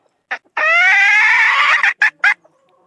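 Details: Young third-generation decoy rooster from the 2022 season: a short clipped note, then one loud sustained harmonic crow lasting about 1.3 seconds, followed by two brief clipped notes, with near-silent background.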